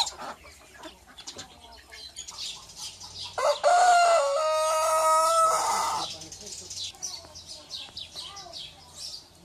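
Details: Rooster gives one loud, drawn-out cock-a-doodle-doo of about two and a half seconds, rich in harmonics, stepping up then holding a steady tone before cutting off, with softer clucking and low background noise before and after.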